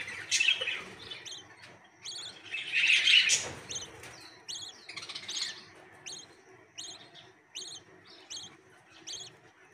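Nestling birds beg with rapid, high, thin cheeps, a noisy burst early on, then a steady series of sharp chirps about three per second.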